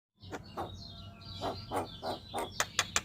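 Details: Javan myna, a bird said to sing day and night and used as a master and lure recording, giving a series of short harsh chattering bursts roughly every quarter second, ending in sharper clicks, with a low hum behind.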